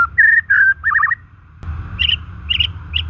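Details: Natural white-rumped shama song meant to stimulate stalled or stressed shamas: loud clear whistles and a rapid warbled trill, then after an abrupt break, fainter high paired chirps repeating about every half second over a humming background.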